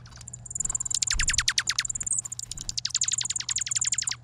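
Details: Chirping chickadees feeding on Vancouver Island give two rapid bursts of high, sharp, downward-sweeping notes, about a dozen in each, separated by a brief pause, over a faint low hum.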